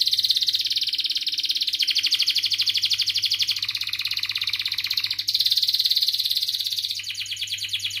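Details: Long training song of a canary, meant to stimulate young birds and stalled singers; a continuous loud, fast trill changing pattern every couple of seconds, with a low steady hum in the background.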